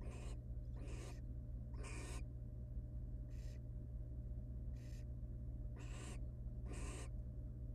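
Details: At a wild barn owl nest with three hatched nestlings and one dead in the egg, which the female removes and eats. Seven harsh, noisy hissing bursts come in an uneven run over a constant low hum.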